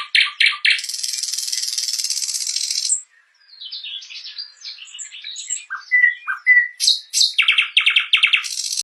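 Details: Nightingale singing a varied, high-pitched phrase: a few sharp chips, then a dense buzzy trill lasting two seconds, a brief pause, scattered squeaky notes, two clear pure whistles, and fast rattling repeated notes to finish.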